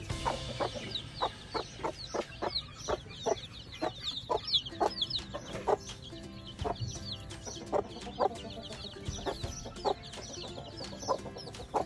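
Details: Mother hen free ranging with about a dozen week-old chicks on a farm in Sialkot, Pakistan, feeding and dust bathing; short low clucks repeat steadily while thin, high, falling chick peeps chatter throughout over soft background music.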